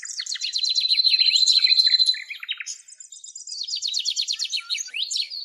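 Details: Rapid, scratchy high chattering with a thin sustained whistle, a pause, then buzzy twittering; the birdsong is an added composition, accompanying footage of a male and female Eastern black-eared wheatear in Greece.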